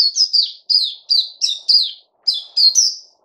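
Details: Puteh (white-eye) singing on 29 August 2020, a clean, close run of about a dozen high, sharp, down-slurred chirps delivered in quick succession with one short gap, no other sounds.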